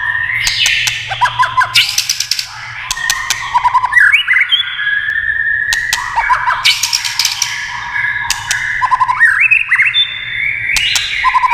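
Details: White-rumped shama with tail-tapping clicks meant to stir singing, pouring out long phrases of clear slurred whistles and quick rattling trills, with crisp percussive ticks scattered between phrases.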